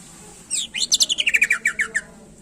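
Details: Greater green leafbird, a contest-bird song meant to excite rivals: a rapid descending series of about a dozen clear whistled notes, each stepping slightly lower, following a short burst of sharp high chirps.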